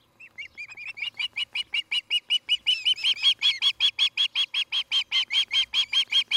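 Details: Osprey at a nest near Charlo, Montana, where a pair is building a new nest, captured by a nest camera on the evening of 17 August 2018: a rapid series of about thirty whistled chirps, swelling louder and slightly higher as it goes.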